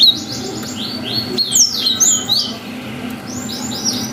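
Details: Cinereous tit used as a provoking lure, giving a dense run of high whistled and twittering notes with swooping slurs, followed by fainter repeated chirps over a low hum.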